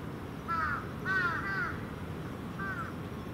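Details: Evening roost of crows, juveniles among adults, at Venus Terrace: three rasping caws, the middle one a drawn-out double, against faint low background noise.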